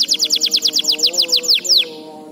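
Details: Song from a training recording for young canaries: about fifteen quick, high, descending whistled sweeps repeated at an even pace. They slow slightly toward the end, over a faint low hum.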